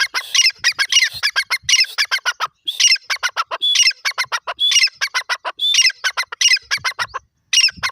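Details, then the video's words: Francolin calling loudly and shrilly: fast bursts of harsh squawky notes grouped roughly every second, continuous and chattering, with no other clear sounds. "francolin birds Natural voice,golden teetar ki awaz"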